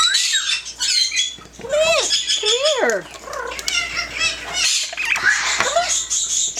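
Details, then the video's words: Talking pet yellow-naped amazon producing a run of arched, sliding voice-like syllables, some dropping steeply in pitch, mixed with harsh raspy sounds, fairly continuous with one brief pause. "SINGING AND TALKING FUNNY PARROT"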